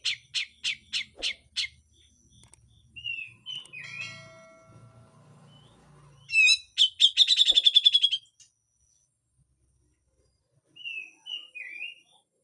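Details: Grey-cheeked bulbul in full harsh song with besetan, used to train songbirds. Five sharp clicking notes open, then soft low rumbling, a loud fast grating trill near the middle, and later a few short whistles.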